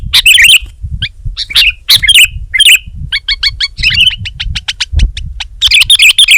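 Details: Sooty-headed bulbul singing energetic warbled phrases, then a burst of fast, evenly spaced short chirps, ending with more loud bubbly phrases.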